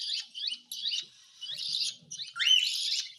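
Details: Cockatiel being hand-fed: four raspy, wheezing bursts separated by short gaps, the last rising into a squeaky upward-then-downward note, with faint low background noise.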